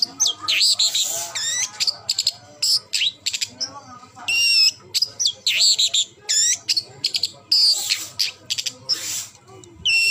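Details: A long-tailed shrike gives a rapid, varied song mixing scratchy chatter with clean whistled notes that rise and fall, delivered in quick repeated phrases separated by short gaps.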